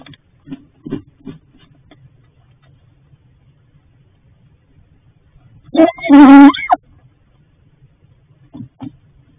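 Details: Barred owl female at her nest at night asking her mate for food: scattered soft low hoots, then a single loud, harsh, wavering whine lasting about a second, followed by more faint low notes.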